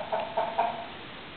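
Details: Backyard flock of chickens and roosters, with three short, evenly spaced nasal clucks in quick succession, then fading quiet.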